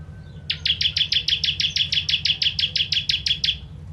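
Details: Indonesian ciblek, the bar-winged prinia, giving a 'kristal tembakan pedas' tutor song: a rapid rattling trill of bright, evenly spaced chip notes lasting three seconds against a steady low hum.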